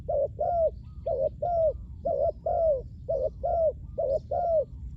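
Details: Clear paired coos of a spotted dove used to lure wild doves, each pair a short note then a longer falling one, five pairs evenly spaced over five seconds.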